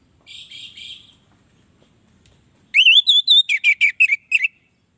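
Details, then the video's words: Orange-headed thrush song used to draw in other orange-headed thrushes: a soft, buzzy opening phrase, a pause, then a loud rising whistle followed by a quick run of sharp whistled notes. "Anis merah lain pasti akan terpancing bunyi"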